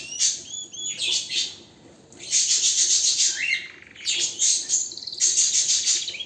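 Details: Canary singing powerfully: long loud stretches of very high, dense buzzy trilling broken by a brief pause, with a few lower rising whistles in between.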